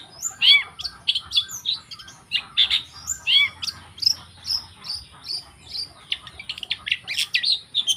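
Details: Wild long-tailed shrike delivering a high, busy song of sharp chirps, downslurred whistles and short buzzy notes. The notes tumble out unevenly for several seconds with no clear break.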